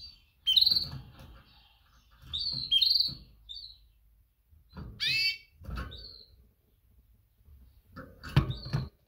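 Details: Mating call of a female canary calling to males: clusters of sharp high chirps, including a raspy rising burst midway, mixed with low knocking thuds and cage bumps.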